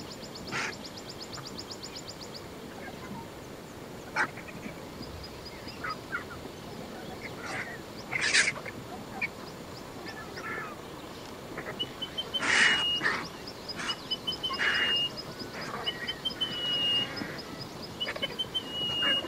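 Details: Vultures, White-backed, Hooded and Lappet-faced, fight while feeding vigorously on a buffalo carcass by the Shingwedzi river, Kruger National Park; irregular rasping squawks and loud harsh blasts, with a thin high whistled trill from another bird.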